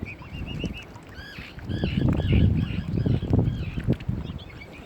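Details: Mute swan cygnets at Kinnego Bay, Oxford Island Nature Reserve on Lough Neagh, County Armagh, Northern Ireland; thin, high peeping notes come in quick runs of several, over low rumbling water and boat-like noise.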